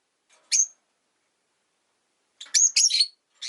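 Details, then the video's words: Rosy-faced lovebirds, five kept in a cage by a window, chirping in winter: one sharp high chirp, then a run of rapid harsh chirps near the end after a quiet gap. "冬とか関係なく良く鳴く子【Lovebird Chirping Sounds"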